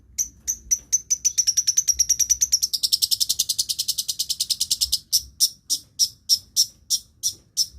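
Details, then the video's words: Long-tailed shrike (cendet, pentet) mimicking the voices of other birds, offered as a lure for birds that have stopped singing: sharp high notes speed into a dense trill, then slow to evenly spaced bright chips. "cendet / pentet pancingan segala jenis burung yang macet bunyi"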